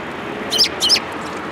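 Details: At a Tenmangu shrine on 19 January 2022, Eurasian tree sparrows coming for food give two quick, bright chirps about a third of a second apart.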